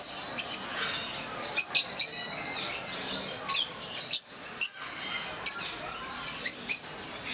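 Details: Several rosy-faced lovebirds at Mysore Zoo chirping together, with shrill piercing notes every second or so rising above a continuous chattering background of many high calls.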